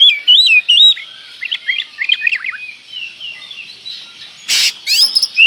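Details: Oriental magpie-robin song used as a lure: clear looping whistles at first, then a jumbled twittering passage, with a short noisy burst near the end before more whistles.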